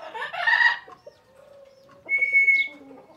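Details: Parrot giving a loud raspy squawk, then a quieter low murmur, ending in a clear sustained whistled note.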